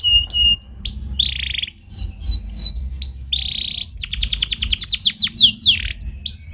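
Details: Canary stimulating song: clusters of looping whistled notes, broken by buzzy rolls and a fast clicking series of falling sweeps, about three phrases per second, with low background hum.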